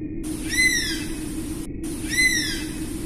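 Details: Two ringing whistles from an Oriental honey-buzzard, roughly two seconds apart. Each is drawn out, arching up briefly before falling away, and is rich in overtones. A constant low background drone is present.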